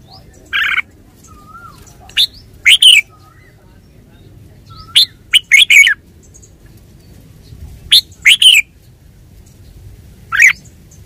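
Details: Red-whiskered bulbul producing irregular loud chirps and brief bubbly phrases, with soft, lower whistled notes from another bird and faint murmur in the background.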